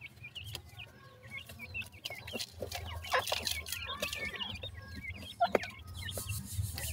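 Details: Calls of grey francolin chicks for their mother, quick high chirps bending up and down, partly covered midway by rustling and handling noise, over a low background hum.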